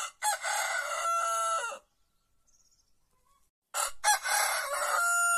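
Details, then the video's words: White rooster in a quiet Andalusian village among olive groves, crowing before dawn: two loud, harsh crows, each a rough burst that settles into a long, steady held note, with a short silent gap between them. "Gallo cantando"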